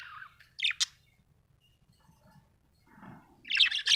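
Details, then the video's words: Happy budgerigar giving two quick sharp chirps, then a quiet pause, a soft low murmur, and a loud scratchy warble at the end. "Happy budgie chirping sound"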